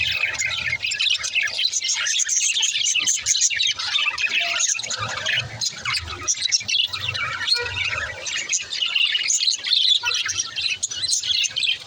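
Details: Breeding budgerigars keep up a busy, scratchy chorus of squawks, chirps and rapid twitters, with many voices overlapping in a steady wall of high chatter across the whole stretch.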